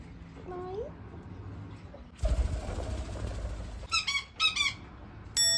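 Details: Captive white-bellied caique beside a washing machine, thrilled by the water noise: a soft rising whine, a loud rush of water, then two clusters of piercing, stacked squeals and a final sharp note.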